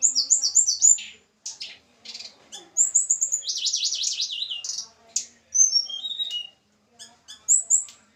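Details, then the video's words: Javan mountain snowy-browed flycatcher being paired in captivity gives quick high whistled phrases and a dense rattling trill, broken by short gaps and sharp clicks. "penjodohan tledekan gunung jawa. tempel satu mingu lagsung jodoh. si kecil cabe rawit bersuara merdu"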